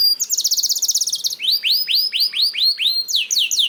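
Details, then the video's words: Canary song meant to trigger other canaries to sing: a fast high buzzy trill followed by slower repeated rising-and-falling arched notes, roughly four per second. "PANCINGAN KENARI 1 MENIT MENDENGARKAN SUARA KENARI DIJAMIN KENARI IKUT BUNYI"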